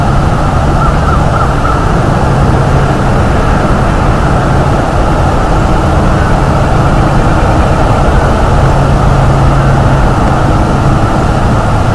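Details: Loud, steady engine drone with a low rumbling hum throughout and no animal sound.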